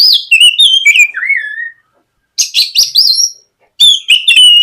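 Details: Oriental magpie-robin (kacer) singing gacor ngeplong as a morning lure sound to provoke young birds into song. Bursts of sharp chirps and sweeping whistles, one falling slur, separated by two short pauses.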